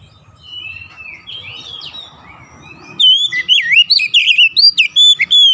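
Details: Oriental magpie-robin singing, played to provoke any magpie-robin into joining in; soft, distant warbling over low rumbling noise, then loud, rapid whistled notes looping up and down, repeated in bursts for the final seconds.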